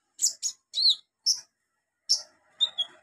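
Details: Olive-backed sunbird song from a training recording made for young birds: sharp, high chirped notes in quick pairs and threes, a short pause, then a lower buzzy, trilling phrase with thin high whistles. The background is quiet.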